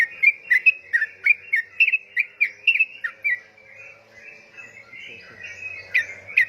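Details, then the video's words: Lively yellow-vented bulbul (trucukan) song of quick, liquid chirping notes in a rapid run, pausing briefly before a few more notes resume near the end. "Burung trucukan super gacor"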